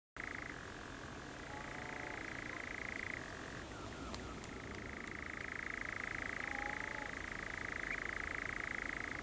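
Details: Two male European nightjars churring at dusk on Coombe Heath, RSPB Arne, 28 June, catching flying insects; a sustained mechanical churr runs almost continuously, breaking once and shifting pitch, with a few faint whistled notes underneath.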